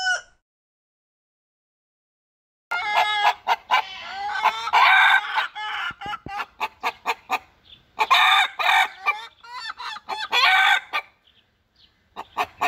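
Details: Domestic hens kept with their chicks give loud, harmonic squawking calls and clucks in irregular bursts after a brief silent start, with clusters of calls overlapping.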